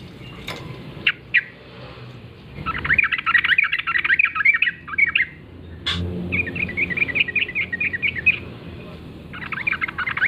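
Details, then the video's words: Yellow-vented bulbul in the wild, morning forest singing: several bursts of quick chattering notes, each running a second or two, separated by short gaps, over steady low rumbling noise. "trucukan gacor ngalas pagi hari suara khas trucukan liar"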